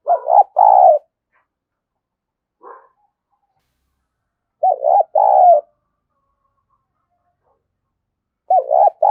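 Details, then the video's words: Lure call of a spotted dove for attracting doves: low rounded coos in short paired phrases, repeated roughly every four seconds with silence between. "Tiếng Chim Cu Gáy Kích Bổi Nhanh nổi Hiệu Quả #5 || Chim Cu Gáy Mồi"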